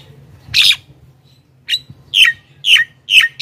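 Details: Lively Javan myna chatter used to draw in wild mynas: a string of harsh, rasping notes with a slight downward sweep, coming roughly every half second after one early burst.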